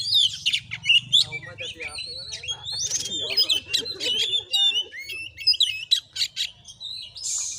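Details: Oriental magpie-robin during a fight-style vocal test in Padang Gading village, Muko Muko regency, Bengkulu: high sliding whistles and clipped chirps tumble together, with lower murmuring voices and a faint hum underneath.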